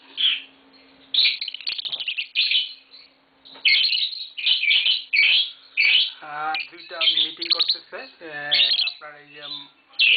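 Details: Two adult green Fischer's lovebirds mating at home, giving harsh bursts of shrill chirps, while a man talks in Bengali over the later calls.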